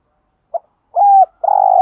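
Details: Spotted dove used as a lure to draw wild doves. A brief soft note, a steady low coo, then a longer throaty rolling coo.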